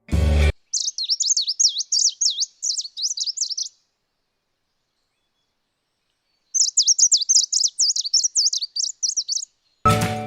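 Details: Green Warbler (Phylloscopus nitidus), a leaf warbler that breeds in Caucasus forests and winters mainly in southern India, gives its loud, fast, high-pitched trisyllabic call in rapid repeated runs, about four per second, in two bursts, with brief music.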